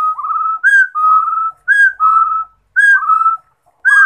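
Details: Whistled song of a rufous-throated partridge: a rising slurred note and a drawn-out steady whistle, roughly four phrases spaced about a second apart, brief bright ticks at the start of several phrases.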